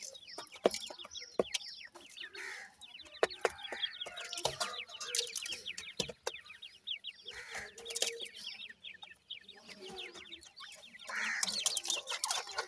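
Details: A group of Dakhni teetar chicks chirps continuously, with high peeps dropping in pitch, crowded and overlapping, and occasional sharp taps and rustles.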